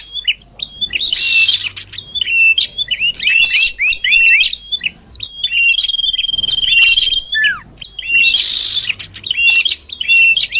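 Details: Common iora sound meant to bring birds near: dense bursts of rapid twittering and chattering, with a sustained high whistle running under them and a falling slur near the middle.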